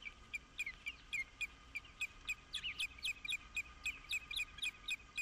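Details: Osprey calling while mating at Dunrovin Ranch, 11 April 2016: steady series of short, piercing whistled chirps, about four per second, some slurred upward, over low constant hiss.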